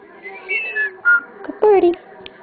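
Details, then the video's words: Pet common starling, acting goofy and mimicking while a person coaxes it to talk; short whistled notes, one flat high tone then a lower note sliding down, with a human voice in the background. "Starling talking,singing and biting me!"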